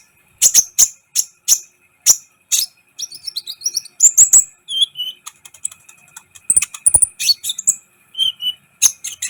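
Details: Sunbird (kolibri ninja) singing vigorously, a recording meant to stir other birds; rapid high chirps at first, then busy twittering with thin whistled notes and short trills running continuously.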